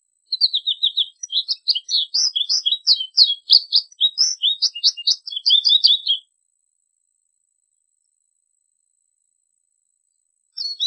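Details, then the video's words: American goldfinch song: a long rambling run of bright twittering and warbled notes, quick and varied, lasting about six seconds, then silence before a brief new phrase begins at the end. "American Goldfinch Song! American Goldfinch Call! - Jilguero Americano canto"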